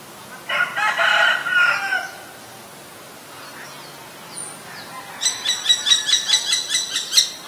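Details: Common Myna recorded May 3, 2022 in Ubon Ratchathani, Thailand, on a Nikon P1000: a harsh, wheezy, grating phrase, a pause with faint chirps, then a rapid series of about ten loud, clipped, metallic clicking notes.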